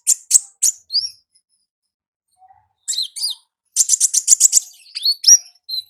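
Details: Ngalas song of an olive-backed sunbird in the wild: three high chips and a slurred note, a pause, then a rapid string of sharp, high ticks followed by upswept whistled notes.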